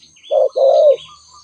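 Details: A single spotted dove call phrase: a brief low coo, a tiny gap, then a longer drawn-out coo sliding slightly downward. Faint chirps from other birds and a constant high insect hum sit behind it.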